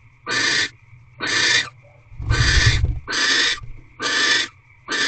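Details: Twelfth night of a wild barn owl mating ritual in a corral nest box, 6:42 pm on 1 March 2023: six evenly spaced harsh hissing screams, each under half a second, with a brief low rumbling thump midway.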